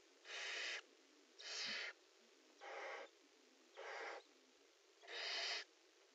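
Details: Five loud, breathy screech-hisses from barn owls mating in a nest box, each roughly half a second long, evenly spaced about a second apart, with one faint thump.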